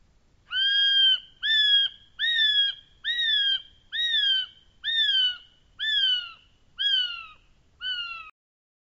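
Kiwi giving a series of nine shrill, rising-then-falling whistles, each about half a second long, repeated roughly once a second. Nothing else is heard.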